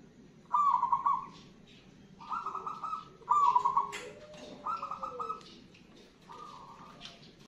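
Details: Zebra dove of local wild stock, known as perkutut, cooing: five short rolling trilled phrases at an even pitch, spaced about a second apart, with a faint lower tone between them.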